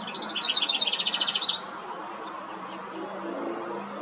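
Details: House wren in a front yard delivering a quick, bubbling song of rapid high trilled notes, about fifteen pulses in one and a half seconds, followed by a steady low background rumble.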